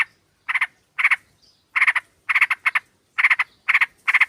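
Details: Sooty-headed bulbuls in a group, a female calling to a male, played to lure birds: loud, bubbly chattering in clusters of two to four rapid harsh notes, coming in quick succession.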